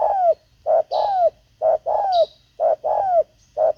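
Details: Spotted dove used in luring wild birds with a decoy, repeating a steady pattern of a short coo followed by a longer downward-bending coo, evenly spaced; faint high chirps in the background.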